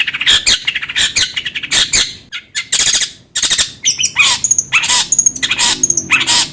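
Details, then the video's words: Long-tailed shrike singing, used to stimulate another bird to sing: harsh scratchy bursts and clicks in irregular groups, followed by repeated bright, high whistled notes that dip downward. "PANCINGAN CENDET AGAR CEPAT gacor"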